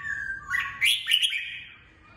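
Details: Caged red-whiskered bulbul singing to train other fighting birds: a short phrase of clear whistled notes near mid pitch, then a louder burst of bright, rising and slurred notes, fading out, in a quiet room.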